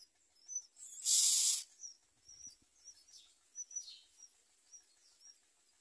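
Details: Common myna chicks at the nest with their mother, begging: one loud harsh hissing screech, surrounded by many thin, high, short whistled chirps repeated at irregular intervals.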